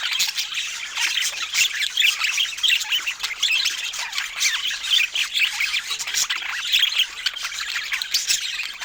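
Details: A group of pet budgies eating fruit chatters constantly, a busy layer of overlapping high chirps and scratchy twitters pulsing in uneven bursts.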